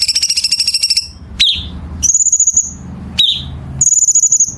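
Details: Chinese bulbul song meant for training competition birds, with tight, sharp rasping fill: a long harsh pulsed buzz opens, then falling chirps alternate with high rattling trills, a faint hum behind.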